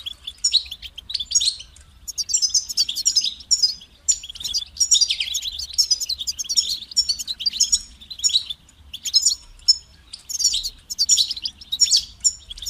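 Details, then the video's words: Continuous European goldfinch singing, built from rapid liquid twitters, buzzy rattles and sharp high chirps strung into lively phrases with brief gaps, loud and clean with no other sounds. "Highlighting motivating songs for creative goldfinches in simple ways"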